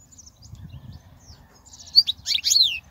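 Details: European goldfinch singing, a recording meant for teaching young goldfinches: a few scattered thin notes give way to a rapid tumbling cascade of high tinkling and buzzy twitters ending in a slurred downward note.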